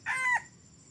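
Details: Red junglefowl that started crowing only three weeks earlier, brought along on a trapping outing: one short, loud, harmonic crow of about a third of a second, a strained note falling slightly at the end, over a faint insect hum.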